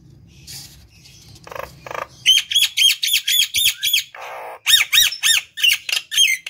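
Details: Vigorously singing Nias hill myna, used to lure and stimulate other birds; quiet scratchy notes at first, then a burst of loud, shrill, harsh calls repeated rapidly, broken by a brief hiss, then continuing.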